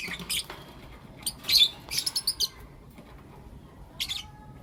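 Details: Blue opaline and lutino opaline lovebirds in the morning; shrill chirps in short clusters, a quick run of high notes, and a faint level whistle near the end.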